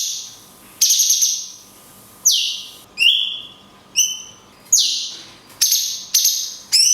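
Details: A cungkok sings 'tembakan kunti panjang' phrases with natural gaps, used to train songbirds: piercing high notes that sweep down, short rising whistles, repeated every second or so.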